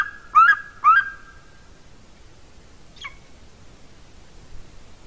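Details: At a golden eagle nest in Latvia, nest camera, 30 January 2019 around 14:24: two loud, rising whistled yelps half a second apart with a long level tone behind them, then a single thin, quieter note.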